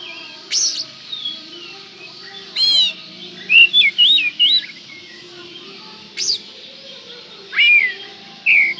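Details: Oriental magpie-robin song used as a lure to provoke rival birds: loud varied whistled phrases with wavy warbles and sharp downswept notes, separated by short pauses, over a faint steady background hum.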